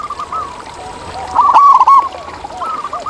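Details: Several local zebra doves in the wild cooing together: overlapping soft arched coos, with one louder rapid burst of bubbling notes in the middle.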